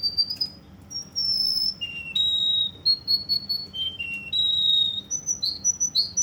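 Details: Russian canary in Kuwait delivering a varied run of clear, high whistled tones. Long steady notes jump between pitches, some held, others broken into short repeated pulses, with brief gaps between phrases.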